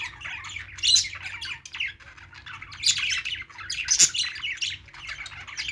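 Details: Budgies playing, giving busy chattering chirps and squawks from several birds at once, overlapping and irregular, with a low steady hum underneath.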